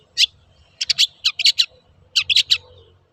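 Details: Long-tailed shrike lure song for coaxing birds to sing: a high chirp, then short bunches of sharp, rasping chips in quick succession over faint low hum.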